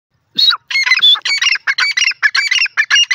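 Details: Francolin (teetar) calling: harsh, squawking notes in a fast, uneven run of about two per second, loud and rasping with strong high overtones, nothing else audible.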